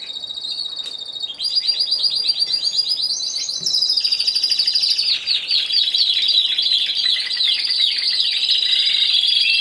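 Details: At a Timbrado Español canary singing contest, individual class C2, 26 November 2015, one bird sings a long, unbroken, high rolling trill. It grows louder after a soft start and sweeps through shimmering, fast-pulsed phrases.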